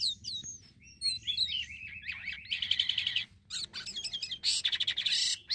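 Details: Black-winged myna song used to lure birds: varied rapid chattering with whistled up-and-down notes and dense harsh buzzy bursts, loud and continuous.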